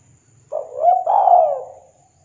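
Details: Spotted dove call meant to draw answers from other doves: one drawn-out, mellow coo that swells, dips and slides downward, lasting about a second and a half, with faint low background hum.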